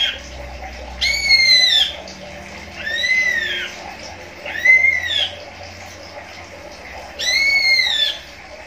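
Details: Captive greater green leafbird (cucak ijo), observed while judging whether a breeding pair is compatible, gives four loud, arched, harsh whistled calls, each about a second long and spaced roughly every two seconds, over a low background hum.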